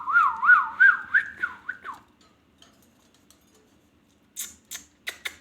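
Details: Ringneck parrot making a wavering whistle that pulses about three times a second and fades out, followed by a few sharp clicking chirps after a pause.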